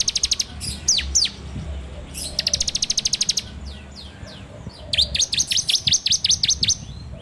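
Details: Ciblek song, the bar-winged prinia, recorded with an Android phone for training birds: mixed downslurred whistles and a rapid high ticking run, ending in a steady series of about ten falling chips.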